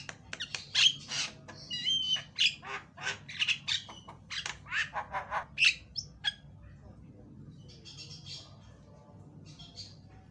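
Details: Varied, loud Javan myna lure song for training birds: a dense run of scratchy squawks and bright whistled notes for about six seconds, then softer scattered chatter over a low background hum.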